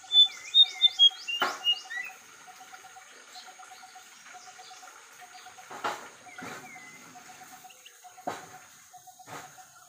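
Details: White-browed fantail: a quick run of high, clear whistled notes stepping downward in the first second and a half, then a short rising whistle later. A steady pulsing insect trill runs throughout, with a few soft thumps.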